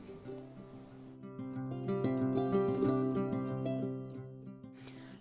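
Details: Plucked acoustic guitar melody with steady picked notes, rising in loudness through the middle and ending with a brief noisy burst; no animal voices are heard.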